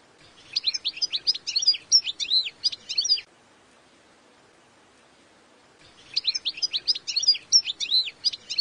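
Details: Goldfinch song in two bursts of rapid, jangling high twitters, each about three seconds long, with a quiet gap of roughly two and a half seconds between them.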